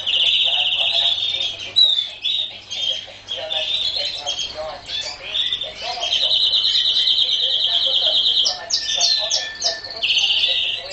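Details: Canary song with long, rapid rolling trills held for several seconds, broken by quick chirps and buzzy notes, then a second sustained trill; faint low hum underneath.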